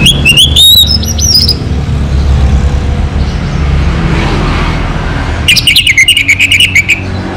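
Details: Local Orange-headed thrush in full song: bright rising whistles at the start, then a quick run of repeated chirping notes, with steady low rumbling noise throughout.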